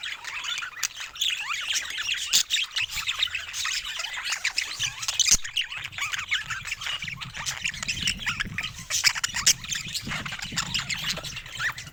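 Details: Pet budgies give a long, busy chorus of scratchy squawks and twittering chirps from several birds, with sharp clicks scattered through it.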